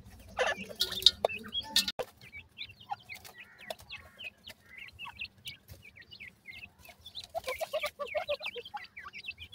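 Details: Baby francolin chicks kept as pet birds in summer, described as happy: a loud rustling burst, then many short high peeps, each rising or falling, scattered over several seconds. A busy cluster of peeps comes near the end.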